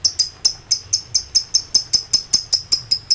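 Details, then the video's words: Fast ngekek song from an excited lovebird calling rivals: a steady, rapid run of sharp, shrill chips, around five per second, evenly spaced and uniform in pitch. "Emosi tinggi.!! Lb ngetik NGEKEK koek memanggil lawan komplit"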